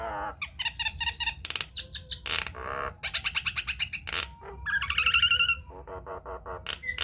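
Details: Vigorous Nias hill myna song played as a lure to get other mynas singing. Rapid trains of ticking and buzzy notes at about four per second build into a rich warbled phrase, followed by softer chucks.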